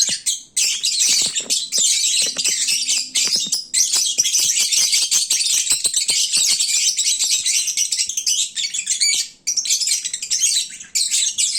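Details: Well-fed lovebirds growing sleepy at midday: an almost unbroken wall of shrill, overlapping high chirps for over ten seconds, dipping only briefly.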